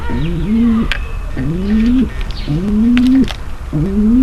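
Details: Female pigeon's mating call, meant to prepare the male for mating: low, rising coos with a harmonic overtone, about one every 1.2 seconds, with faint chirps and sharp clicks in the background.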